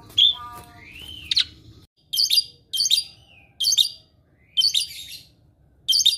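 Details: Caged Asian pied starling, said to mimic other birds' calls, gives one slurred rising whistle, then harsh buzzy chirp bursts repeated roughly once a second with quiet gaps between.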